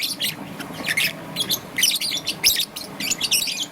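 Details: Bright, rapid chirps from a young peach-faced lovebird, green and yellow, recorded in the morning: closely spaced squeaky notes in quick bursts, over a faint steady hiss.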